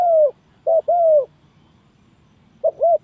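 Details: Trap lure of a spotted dove: a long falling coo, a short note and another drawn-out coo, then silence before a further quick double coo.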